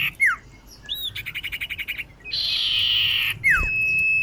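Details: Female common iora calling a male for luring: a down-slurred whistle, a quick dry rattling series of clicks, a long buzzy rasp, then a falling slur leading into a steady held whistle.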